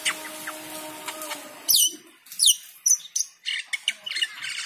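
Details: Cucak keling singing vigorously with varied fill-in phrases during the call to prayer. Sustained chanted tones of the call to prayer give way to bright, steeply falling whistles and rapid chattering bursts.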